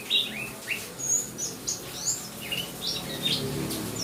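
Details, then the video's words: Pet white-eye of the Buxtomi type singing over a rain sound track meant to encourage it to sing: thin, high, quick chirps and short slurred whistles, scattered irregularly over a steady hiss of rain. "Pleci Buxtomi. Terapi suara hujan."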